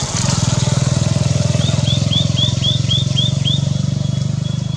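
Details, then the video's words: White-naped tit calling continuously in India: a quick run of about eight thin, high, slurred notes, three per second, over a loud, steady low engine drone. "White-naped Tit calling"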